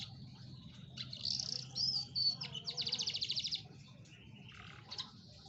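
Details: Atlantic canary song played to coax a reluctant canary into singing: high warbled and whistled phrases, then a fast even trill of about a dozen notes, ending in softer chirps over a low steady hum.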